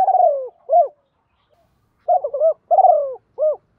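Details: Spotted dove decoy cooing to lure and train newly caught birds, 'thổ cục đinh' style: the end of a phrase with a drawn-out rolling descending coo, then a full phrase of short, held, buzzy falling and clipped notes.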